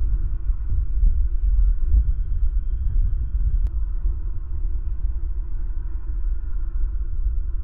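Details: Steady low rumble and hum fill the recording, with faint midrange drone and a single sharp click partway through; no animal voice stands out.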